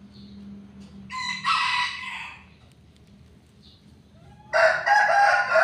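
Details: Chicken crowing in a backyard in the morning: two loud, harsh, harmonic crows about three seconds apart, each lasting roughly a second, over a low steady hum.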